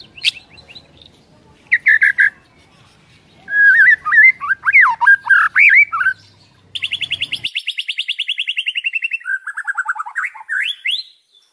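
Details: Varied white-rumped shama isian song: scattered chirps, then a loud jumble of warbled, swooping whistles, followed by a long rapid evenly pulsed trill and a few rising whistled slurs.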